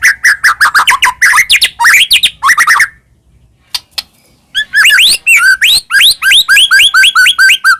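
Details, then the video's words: White-rumped shama used as a lure to make caged birds sing, delivering fast repeated rising whistles and chatter, a short pause, then a steady series of bright upslurred notes. "murai batu gacor AMPUH buat PANCINGAN murai batu agar bunyi"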